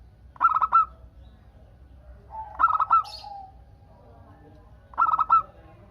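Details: Local zebra dove singing actively, used to prompt other doves to answer. Three short bursts of rapid, staccato, ringing coos, each about half a second and spaced two to two and a half seconds apart, with faint whistles from other birds behind.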